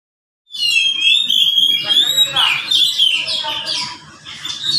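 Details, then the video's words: A caged pet Oriental magpie-robin, one of three answering each other, which the owner says is not in full song, gives a loud, continuous run of varied high whistles and rapid chattering phrases over a faint low hum. "burung Kacer yang malas bunyi"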